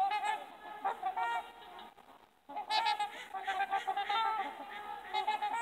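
Several trumpeter swans give loud, resonant, horn-like honks in overlapping bursts, pausing briefly midway before the chorus resumes.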